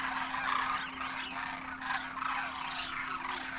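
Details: Big wild winter gathering of Demoiselle Cranes in Rajasthan, India, juveniles among adults, in flight: loud overlapping trumpeting and gargling calls packed closely together, over a low steady hum.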